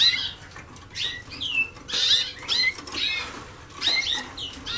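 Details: Young Waterslager canaries only days into song schooling, 2010: dense clusters of bright slurred notes and rolling trills in irregular bursts, with low background noise.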